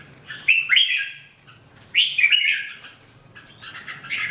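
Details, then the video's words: Red-whiskered bulbul singing short, loud, liquid phrases of three or four notes, two phrases about one and a half seconds apart, followed by softer chattering notes. "The Sound Of The Birds Singing Wonderful: Birds Red-whiskered bulbul"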